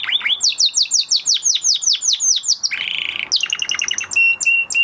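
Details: Canary after the moult in full song: a run of about a dozen sweeping downward chirps, a short harsh buzzy roll, then fast repeated clipped notes and steady whistles.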